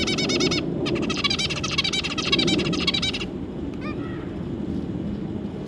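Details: Two adult zebra finches with three juvenile babies, 25 July 2022: loud, dense, buzzy chatter of rapid nasal harmonic notes for about three seconds after a brief opening burst, then a few softer calls over a low background rumble.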